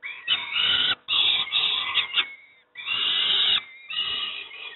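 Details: Harsh, scratchy screeching from young peregrine falcons getting breakfast at Moszna, Pruszków, Poland, in four choppy bursts with a thin whining note between them.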